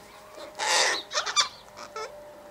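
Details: A flock of Sulphur-crested cockatoos (Cacatua galerita) feeding on scattered seed gives one long, harsh, raspy screech, then several shorter grating squawks over about two seconds, with a faint steady hum behind.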